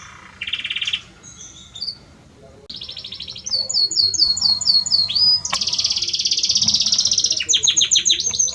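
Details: Belgian canary male sings to his female, starting with short chirps, then pouring out fast high rolling trills, a sharp upward whistle and a sustained buzzy trill.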